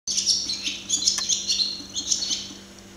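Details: Barn swallow (Hirundo rustica) singing, observed up close: a fast, continuous twittering warble of high, scratchy chirps and short whistles, rich in buzzy notes, with a steady low electrical hum beneath.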